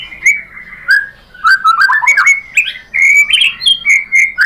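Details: Indonesian white-rumped shama (murai batu) giving lure song used to make other shamas reply and sing. Loud, varied whistled notes, slurred and clear, run in quick bursts with short gaps.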